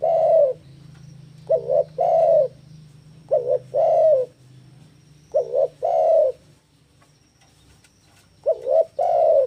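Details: Breeding-condition spotted dove singing a challenge to a rival: three evenly spaced phrases, each a quick paired coo leading into a longer throaty descending coo, separated by pauses of about two seconds; faint background hum.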